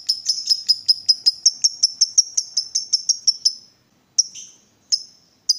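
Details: Excited lovebird that has been provoked to call. It gives a run of quick, high, clipped chirps for about three and a half seconds, then goes quiet and adds a few isolated chirps.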